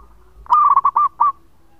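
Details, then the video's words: Single loud phrase from a local zebra dove in full song, kept as a lure: a rolling burst of five short, cooing notes, the first run together, the last slightly separated, over a quiet background. "Perkutut Lokal Gacor Suara Panjang buat Pancingan"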